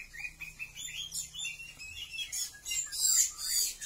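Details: Male Oriental magpie-robin (kacer) courting a female to get her to mate, singing a varied run of clear, high whistles and chirps that rises into a busier, louder burst of sharp notes toward the end.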